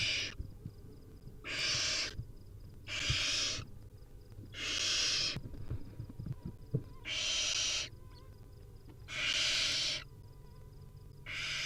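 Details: Nestling barn owls, wild, calling for food at feeding time: seven harsh screechy hisses, each under a second, spaced roughly every one and a half seconds, with soft background rustling.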